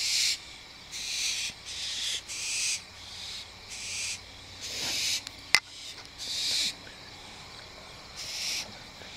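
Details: Night recording at 11:30 PM of an adult and a juvenile barn owl: short breathy hissing screeches spaced irregularly, with a sharp click midway and quiet gaps between calls.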